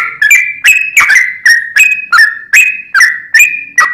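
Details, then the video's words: A sooty-headed bulbul lure recording: bright whistled notes, each starting with a sharp click and holding a steady or slightly dipping pitch, repeated about two to three times a second with a reverberant tail. "trucuk cocot tonggo || trucuk gacor || trucuk pikatan"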